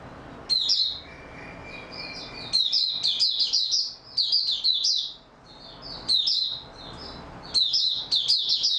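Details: Singing in stable form on 28 February 2022, an Oriental white-eye delivers long runs of fast, high, sweet twittering and warbling, in several bursts of about one to two seconds with brief gaps.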